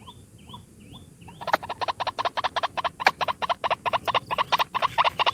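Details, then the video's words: A lone white-breasted waterhen gives its lure call: a rapid chain of harsh croaking notes that begins after a few thin, upslurred notes from another bird, over a murmuring background. "SUARA PIKAT BURUNG RUAK RUAK TUNGGAL"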